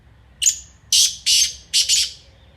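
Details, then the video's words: Black francolin, known locally as kala teetar, gives one harsh phrase: a thin high introductory note, then loud rasping grating notes, the last one doubled, over a quiet background. "BLACK FRANCOLIN ( KALA TEETAR) AMAZING VOICE"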